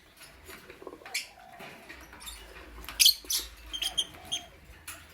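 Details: Lovebirds, a lutino and a blue opaline, kept as pets and heard in the morning, giving scattered short high chirps and squeaks with a few louder bursts, over a quiet background of faint rustling.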